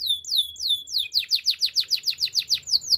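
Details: Canary singing for training birds: rapid repeated downslurred whistles, roughly five to six per second, bright and clear throughout.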